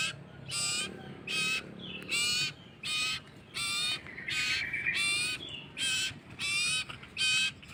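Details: Hand-fed common iora chick begging for food: loud rasping, noisy calls repeated in a quick, fairly even series, with a thin rising whistle slipping between some calls and faint low rumble behind.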